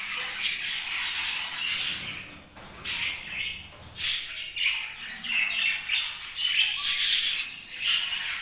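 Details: Budgies making happy sounds, bursts of scratchy squawks and chirps rising and falling in short pulses roughly every half second, mixed with softer warbled chatter between louder calls.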